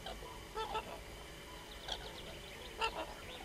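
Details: Common cranes calling: short, loud, harmonic trumpeting honks that come in brief clustered bursts about a second apart, over a steady faint background hiss.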